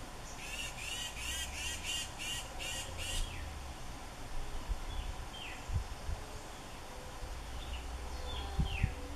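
Brown thrasher giving about seven harsh, rasping notes in quick succession over three seconds, then a few faint downslurred notes, over a steady low rumble.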